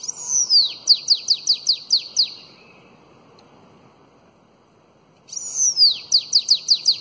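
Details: Two phrases of elongated Belgian-style bananaquit song for tutoring young birds, each a long falling whistle followed by about six quick descending notes, separated by a few seconds of silence.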